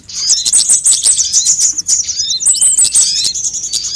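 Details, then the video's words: Several sunbirds in a lure recording meant to attract birds and get them calling: busy, thin, high chirping with quick downslurred notes and short trills running without a break. "suara pikat semua jenis burung kolibri"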